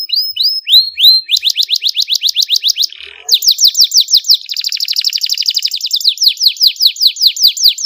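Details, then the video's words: A Belgian canary sings a clear, lively song of rapid trills of bright, sweeping notes, switching between fast rolls and slower repeated chirps, all high-pitched and continuous. "suara kenari gacor jernih"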